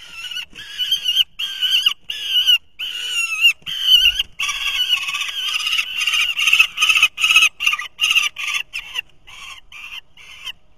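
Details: Three young falcons at their nest in 2023 compete as each prey item arrives. Loud, harsh, harmonic screams come in short bursts, first spaced about half a second apart, then crowding into a fast, overlapping run before easing off.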